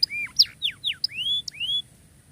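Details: Canary song phrase for training silent canaries: short sharp chips mixed with downward-slurred whistles, then two long smooth rising whistles, ending in quiet. Faint low hum underneath.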